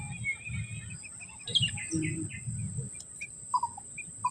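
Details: Sooty-headed bulbul at a bird-trapping spot: scattered short whistled notes, some rising, others clipped, spread over four seconds, over a constant thin high whine and low rumbling background noise.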